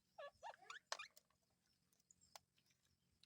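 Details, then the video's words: A talking Indian ringneck (rose-ringed) parakeet, recorded while talking and eating, chatters in a few quick, squeaky, speech-like bursts with rising and falling whistled tones, then a sharp click and soft pauses. "Indian Ringneck Parrot Talking"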